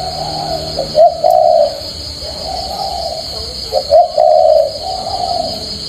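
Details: A Spotted Dove gives deep, warm three-note coos, repeated every few seconds, over a steady high electrical hum.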